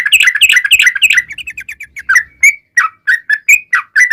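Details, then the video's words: Long, rapid song of a lively yellow-vented bulbul, used as a lure to prompt other bulbuls to reply. A fast babbling run of notes eases into spaced, clear whistled chirps, some rising, roughly three per second. "SUARA trucukan gacor ROPEL PANJANG pancingan trucukan agar bunyi"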